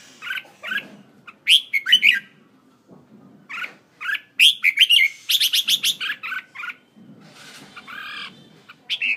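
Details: Decoy red-whiskered bulbul from Hanoi, Vietnam, singing short bright warbling phrases with rapid bursts of sharp repeated notes, separated by pauses, against faint low rumbling.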